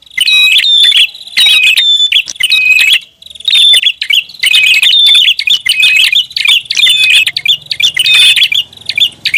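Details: Noisy prinia lure call: an almost continuous run of high, sharp chirps and trills in bursts about a second apart, with a low hum near the end.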